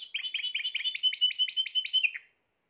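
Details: A 2020-season Spanish Timbrado canary delivers a brief, tightly rhythmic bubbling trill of repeated doubled notes lasting about two seconds, ending with a high flick and then silence.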